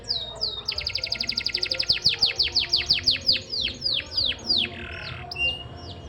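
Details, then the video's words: Canary song opening with a fast, even trill of high swept notes that slows into longer falling slurs, followed by a sustained buzzy note and a few scattered chirps. "suara burung kenari"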